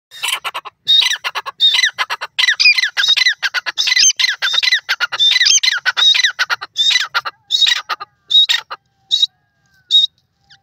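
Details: Grey francolin (bhura tetar) calling: loud, harsh, squawking notes packed into rapid, uneven bursts at a high, scratchy pitch. The calls run almost continuously for eight seconds, then break into shorter, spaced phrases before fading out.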